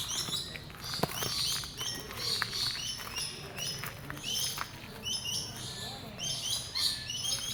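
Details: Birds chirping in the animalium forest: several high, thin, repeated tweets and short whistled notes scatter over a constant hiss of forest background, with occasional sharp clicks and faint distant voices.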